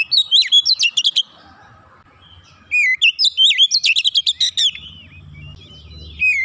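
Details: Oriental magpie-robin, kept as a song bird for training, singing in two loud bursts of rapid varied whistles, slurred notes and sharp trills, with a shorter phrase at the end and a faint low hum underneath.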